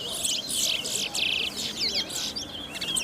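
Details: A seed-finch (brown towa towa) competing in a bird singing race at the Sheriff Street bird ground pours out a fast, high, twittering song of slurred whistles and rapid trills, with faint crowd murmur behind it.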